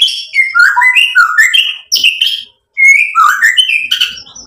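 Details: Varied song of a white-rumped shama: fluid descending and rising whistled notes strung into quick phrases, one brief silent gap midway, otherwise the bird alone.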